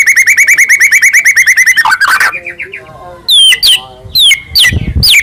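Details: Morning white-rumped shama song used as a lure to set a caged bird singing: a quick string of repeated bright chips, then a mix of lower warbled notes and sharp, high whistled slurs.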